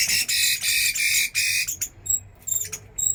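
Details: Chinese hwamei tested as a fighting bird, singing a loud, rapid burst of rich high notes for about two seconds, then stopping, leaving sharp high pips alone.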